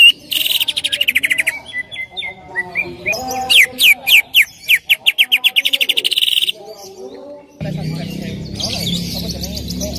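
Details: Lure song of a greater green leafbird, meant to get another leafbird singing. It runs as a varied, fast stream of high chirps and slurred whistles, with a quick series of rising sweeps near the middle and a harsher, noisier passage at the end.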